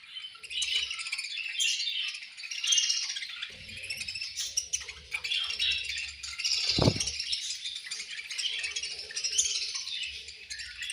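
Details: Several budgies chirping during feeding time, a continuous busy chatter of high scratchy warbles and squeaks, with a brief low thump partway through and soft rustling underneath.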